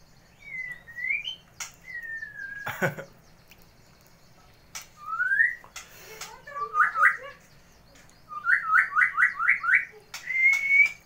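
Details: White-rumped shama of the Tulang Mas type, a contest winner that shows its song variety and imitations when it sees a rival: sliding whistles, a rapid run of five repeated upslurred notes, and a final rising whistle, with clicks and a low background hum.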